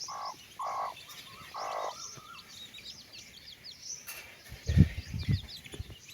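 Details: Hen calling her babies for a walk, giving three quick mid-pitched clucks in a row at the start, while chicks peep softly above; heavier low thumps follow near the end.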